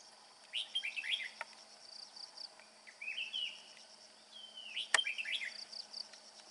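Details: Male red-whiskered bulbul singing a clear 'bell voice' song while carrying food for its young: bright warbled phrases that rise and fall, given in bursts near the start and again near the end, over a steady insect drone.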